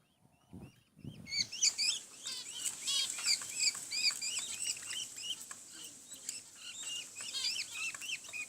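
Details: Budgerigar chicks give rapid, high, scratchy begging chirps as their mother feeds them.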